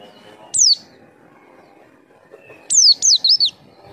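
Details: White-eye calls meant to draw an answering response: a single high descending note, then a quicker run of four wavering, whistled high notes falling and rising in quick succession.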